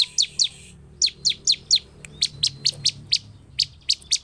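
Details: Lively bar-winged prinia calling to provoke other prinias: spaced, sharp, high chirps in small clusters, then evenly spaced single notes about every quarter second.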